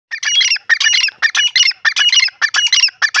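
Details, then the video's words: Francolin (teetar, partridge) playing in the soil gives a loud series of harsh, grating squawks, about three per second, in short rasping bursts, with no other sounds standing out. "teetar ki awaz"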